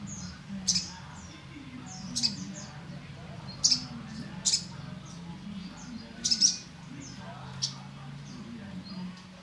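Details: Sogon trotol, the olive-backed sunbird, repeating high, piercing chips and quick doubled notes, mixed with faint slurred twitters, over a low droning hum throughout.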